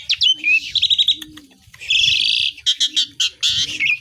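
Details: Asian pied starling singing loudly with mimicked song of village birds: bursts of high chattering, whistled and buzzy phrases separated by brief pauses, with a soft low cooing repeated about every second in the background.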